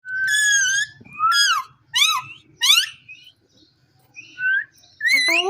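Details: Caged Indian ringneck parrot talking: a few loud, nasal, wavering phrases in separate bursts, with pauses and soft low rustling between them.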